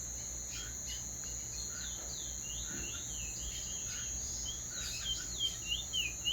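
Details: Teacher bird singing a clean roll: quick runs of sweeping whistled notes, rising and falling, over a steady high-pitched insect drone.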